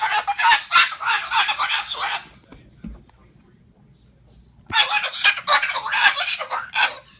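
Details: Indoor pet Moluccan cockatoo screaming in anger after its owner cleared away its kitchen-table nest and its "babies" of fruit and vegetables: two stretches of harsh, grating squawks, rapid and uneven, separated by a quiet pause of about two seconds.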